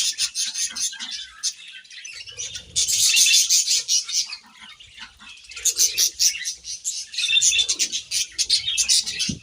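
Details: Budgies chirping as they eat grass, giving rapid, irregular high chatter with scratchy warbled notes, louder in two long bursts and quieter between them.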